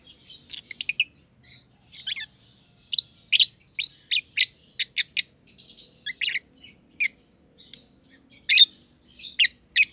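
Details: Two masked lovebirds, a green and a green pied personata, in a home aviary, one under a year old, chirping: sharp, high, scratchy chirps in quick bursts, some rapid double notes, spread across ten seconds in a quiet room.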